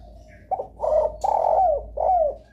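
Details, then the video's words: Close spotted dove coos used as a lure for other doves: a quick note followed by three loud, hoarse coos, the final ones gliding downward, over a low steady hum. "suara pancingan DERKUKU paling di sukai derkuku lain"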